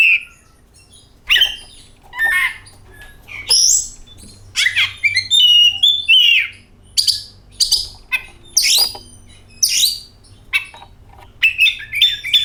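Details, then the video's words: Oriental magpie-robin song played as a lure to set other magpie-robins singing: bursts of high whistles mixed with harsh rasping notes, broken by short pauses, with a faint low hum underneath. "DENGAN VIDEO INI KACER AUTO GACOR, Suara Burung Penyejuk Hari, Pancingan Kacer"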